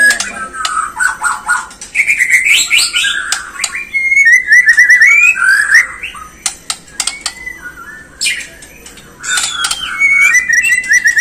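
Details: White-rumped shama provoking song meant to make birds sing and get agitated: a jumble of rapid whistled trills, sweeping rising notes and clicks over a constant low hum.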